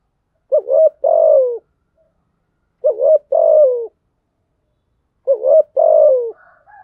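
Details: Spotted dove used as a cooing lure: three evenly spaced two-part coos, each a short wavering note then a longer falling one, with a faint higher chirp at the end.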